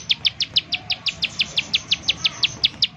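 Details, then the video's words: Rapid 'nembak' calling of a bar-winged prinia, played as a lure to prompt other prinias to sing: crisp, high, clipped notes repeated steadily about five times a second. "ciblek sawah, nembak nembak untuk pancingan ciblek sawah agar bunyi"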